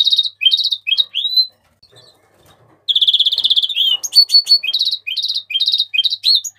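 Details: Mexican rosefinch singing: quick high chirped notes and short rising slurs, a brief pause, then rapid buzzy trills mixed with sharp chips and repeated whistled phrases.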